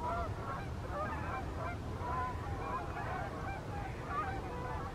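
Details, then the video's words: Flock of Canada geese in evening flight, summer or fall 2020: faint, distant nasal honks scattered over a steady low rumble of background noise. "Canada Geese flying and honking"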